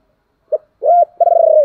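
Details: Low cooing of a spotted dove, used to draw wild doves into cooing back: a brief clipped note, a rounded hoot, then a long, slightly trembling coo that slowly sinks in pitch, in silence.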